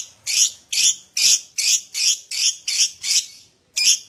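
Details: Lovebird in a prompting recording meant to get other lovebirds to ngekek quickly: harsh, high, buzzy chirps repeated about twice a second, eight in a row with a short pause before the last.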